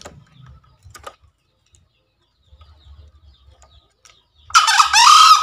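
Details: Tutor sound of a green junglefowl for birds freshly taken from the forest. After a quiet stretch with faint distant chirps, a sudden loud, raspy crow bursts in near the end: a rough opening note sliding into a drawn-out hoarse tone.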